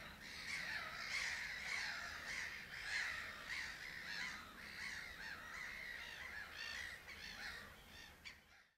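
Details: Pied avocets at Uitkerkse Polder, Belgium, in April 2010 give clear, fluty 'kluit' notes, repeated rapidly and overlapping as several birds call together, over a soft background hiss.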